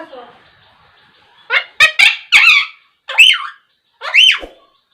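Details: A hand-raised pet parrot, rescued after falling from a tree in a storm, quarrels and talks, chattering a quick burst of harsh, word-like syllables, then giving two shrill rising-and-falling squawks about a second apart.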